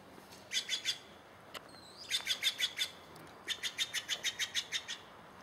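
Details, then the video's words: Wild bird singing in Takilma, Oregon, in early April 2017: three bursts of rapid, evenly spaced high chipping notes, short groups then a longer run of about nine, with one thin whistled slur between bursts. "Bird Whistle Hustle"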